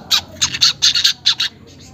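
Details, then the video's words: Weaver sound used to lure caged birds into singing: six or seven short, harsh, high squawky bursts in quick succession over two seconds, then faint trailing notes. "pancingan manyar bahan agar cepat gacor"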